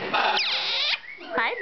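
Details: Red-shouldered (Hahn's) macaw, a pet, gives two bursts of squeaky, swooping kissing sounds and chatter, under a second then a short half-second reprise.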